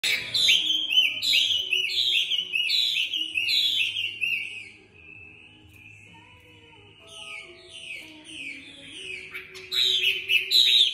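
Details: Caged female Chinese hwamei from Hanoi, kept to lure and stir up males, sings rich, loud descending whistled phrases repeated about once a second. A short quiet pause is followed by bright, rising and falling slurred notes.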